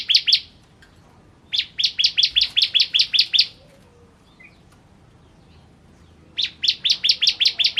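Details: Ciblek kristal, the Indonesian bar-winged prinia, singing energetically for training other songbirds: three bursts of quick, evenly spaced, high upswept chips, about eight notes each, separated by pauses of a few seconds.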